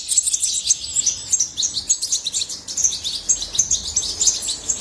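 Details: Goldfinch song: a fast, bright stream of high chirps and jingling twitters, steady and unbroken, with only faint low background hum.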